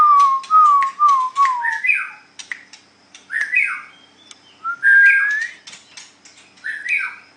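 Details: White-rumped shama, murai batu, in a singing contest: slurred whistles falling near the start, then rising buzzy phrases and sharp clicks, delivered in short bursts with brief pauses.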